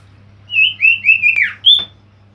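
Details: Male common iora used as a lure bird: clear whistled phrase of several slurred notes, steady then dropping, ending in a short higher whistle, over a faint low hum.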